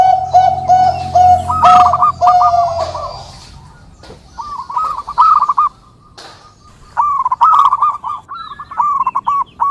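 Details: Zebra dove song: after a steady tonal sound with harmonics, bursts of rapid, stuttering coo notes roll out in repeated phrases with short gaps, plus a few sharp clicks.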